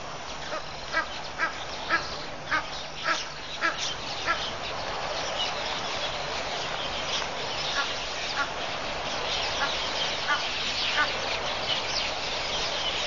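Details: Hundreds to thousands of wild red-billed quelea swarming above the water at Pete's Pond, Mashatu Game Reserve, Botswana, on 31 October 2015: a dense chattering wash with sharp chirps and bursts rising above it every second or so.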